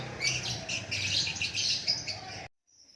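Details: A white-rumped shama sings a dense, continuous stream of rapid high chirps and trilled notes for about two and a half seconds, then stops abruptly, over a faint low hum.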